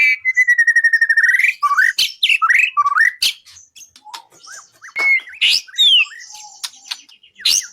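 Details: Songbird-contest training recording of a white-rumped shama: a long steady whistle over a rapid trill, then looping warbled phrases, sharp snaps, and scattered high slurred whistles.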